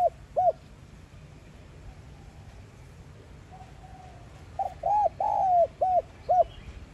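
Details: Spotted dove cooing in the 'giọng son' style, used to prompt captive doves to call: two short coos, a quiet gap with a faint soft hum, then a full phrase of short notes around one long falling coo.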